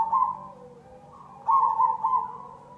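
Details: Zebra dove of the cemani variety giving a lure song: soft low cooing notes, then a louder burst of quick wavering coos midway, over a steady low hum.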